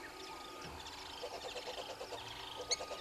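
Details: Red-billed hornbills below a waterhole camera at Gowrie dam, Djuma Game Reserve, Sabi Sand, South Africa, at 06:32 on 03/07/2022. They give a quick run of clucking, slightly nasal notes that build mid-clip, over a faint steady hum.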